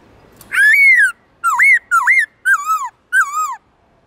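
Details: Black-throated laughingthrush singing in forest-voice style with long, loud, clear tones: five ringing whistled phrases. The first is a long arching note, then hooked rising-and-falling notes about every half second, over a quiet background.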